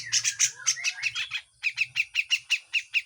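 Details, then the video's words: Grey-cheeked bulbul, harsh full song with besetan, as a training recording: dense scratchy notes, then an even train of loud clipped chips about six per second, over a faint low hum. "MASTERAN CUCAK JENGGOT FULL KASAR DAN BESETAN"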